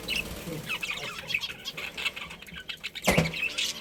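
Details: A colony of pet budgerigars chirping: quick, high chattering chirps and short squeaky notes overlap in a steady stream, with soft rustling in the background.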